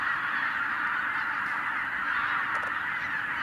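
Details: Huge wild goose gathering in Hungary, 2023, put up by a white-tailed eagle: relentless massed honking from tens of thousands of birds, with a brief sharper sound about two and a half seconds in.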